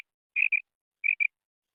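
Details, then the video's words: Call of a female quail: two short, high-pitched paired notes, each a fast buzzy chirp followed by a second shorter one, separated by half a second of silence. "FEMALE BATAIR SOUND / BUDANA OVOZI"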